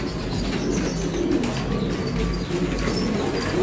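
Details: Low, throaty cooing from several Filo pigeons forms a continuous murmur, with faint tapping in the background.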